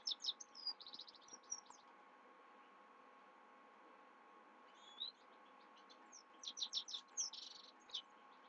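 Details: Himalayan goldfinch singing at night: an opening flurry of high twitters and a buzzy trill, a quiet gap with soft whistles, then a renewed run of sharp chirps and buzzy notes.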